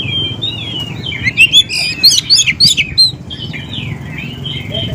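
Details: Oriental magpie-robin singing on a lure track for catching wild birds: a smooth whistled opening, then a rapid burst of bright, high, sharply inflected notes, and a softer warble at the end.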